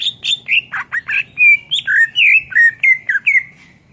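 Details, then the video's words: Cucak ijo, the greater green leafbird, in energetic master song: a steady series of short, bright, downslurred whistles and chirps, about four per second, with a few rough squawk-like notes and a low background hum. "SUARA MASTERAN CUCAK IJO GACOR.buat masteran burung kicau"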